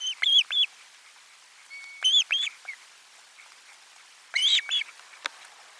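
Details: Osprey calling at nest 4 as lunch fish arrives, 12 July 2022: three groups of two or three clear arched whistled chirps, each group about two seconds apart, over a quiet background.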